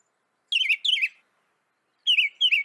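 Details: Northern mockingbird of North America singing: a short descending whistled phrase given twice, a pause, then a different sliding phrase repeated twice, clear with no other sounds.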